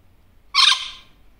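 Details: Pet Barraband parakeet (superb parrot), a one-year-old male, chattering to himself while looking in a mirror indoors; a single harsh, buzzy squawk lasting about half a second, rich and bright, in an otherwise quiet room.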